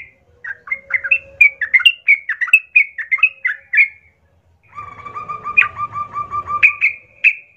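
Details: Lure song of a vigorous Sooty-headed bulbul meant to draw other bulbuls into answering and fighting: a long run of lively bubbling whistled phrases, a pause, then a steady repeated trill beneath continuing chattering notes and low rumbling background noise.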